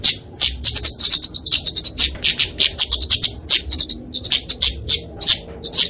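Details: Kemade flowerpecker, genus Dicaeum, giving a fighting song meant to train and lure small birds: sharp, very high ticking notes in quick bursts, each burst separated by brief gaps, repeated steadily throughout.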